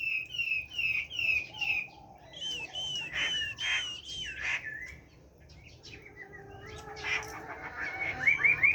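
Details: Chinese hwamei, caged, singing in giọng rừng (forest-voice) style: repeated whistled notes followed by loud, harsher broadband phrases, a quiet pause, then rising high whistles.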